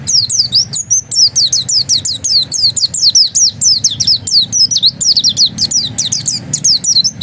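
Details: Oriental white-eye, known locally as pleci dakun, in persistent ngotot-style song: rapid, continuous high twittering of short downslurred whistled notes, tightly packed and repeated without pause.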